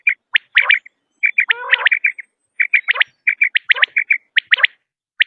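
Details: Common quail giving rapid clipped liquid notes in twos and threes, with one lower, grating, harmonic-rich note in the middle. The notes recur roughly every second against a silent background.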